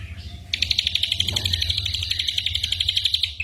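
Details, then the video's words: Ashy drongo imitating other birds, kept as training material for songbirds such as the white-rumped shama during moult; a rapid, evenly repeated high chattering trill of about three seconds follows a faint note, with low rumble beneath. "burung masteran srigunting abuabu / saeran_abu"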